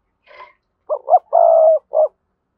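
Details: Decoy spotted dove with a strong, lively voice gives a faint higher note, then one phrase: two clipped rising notes, a sustained low coo and a short closing coo.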